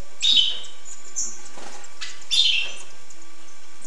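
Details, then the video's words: Two buzzy, bright twittering phrases from a hooded siskin, about two seconds apart, with light clicks and hiss in the background. "tarin poitrine noir"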